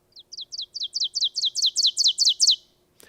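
Ovenbird song: a rapid series of about eleven sharp, two-note 'teacher' phrases, each louder than the last, in about two and a half seconds.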